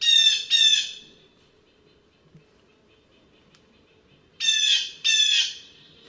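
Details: Blue Jay recorded in Hammond Hill State Forest, Tompkins County, New York, in 2014, giving harsh, nasal squawks in two quick pairs, a few seconds apart, against a quiet background.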